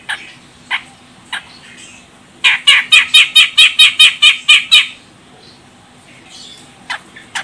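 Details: Calling female grey-cheeked bulbul of the Medan, Sumatra type, a lure meant to set males singing: a few faint clicks, then a quick string of about eleven harsh, raspy notes lasting two and a half seconds, then scattered soft notes.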